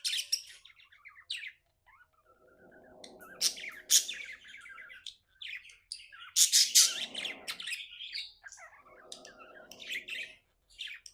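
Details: Happy budgerigar at home giving bursts of bright squeaky chirps and chattering warble, with a low murmuring background sound recurring between phrases.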